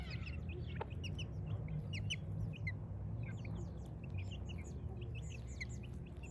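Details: Chicks in a village at morning, many peeping together: short high arched whistles, rapid and overlapping, with a steady low hum beneath.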